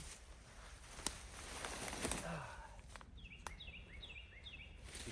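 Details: A Carolina Wren sings a quick run of about five loud, slurred whistled phrases, each dropping in pitch, beside a forest trail, after rustling and footsteps on the trail.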